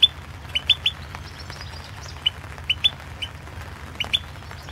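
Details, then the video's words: European goldfinch (Carduelis Balcanica) singing for the 2016 World Championship in Goldfinch Song, an internet contest; short sharp chirped notes come singly and in pairs, spaced irregularly across the stretch, with faint background hum. "Pesma štiglića"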